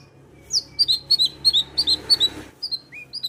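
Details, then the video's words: Long-tailed shrike song to stimulate a lazy bird: a rapid chattering series of high chirped notes, several per second, then a few separate whistles, over a low background rumble. "Pancingan Cendet Gacor Untuk Menaikkan Birahi cendet Malas Bunyi"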